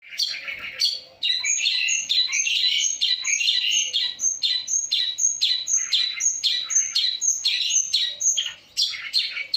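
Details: Long-tailed shrike singing a lively full-variation song: dense, rapid phrases of harsh chattering notes mixed with clear high whistles, repeated about twice a second and in almost continuous bursts.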